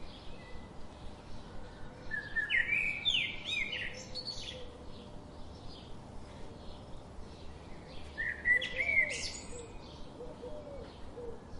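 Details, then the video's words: Wild birdsong with two bursts of quick, warbling chirps, each a tumble of rising and falling whistled notes, separated by quieter scattered tweets over a constant low rumble. "birds chirping relaxing birds sound"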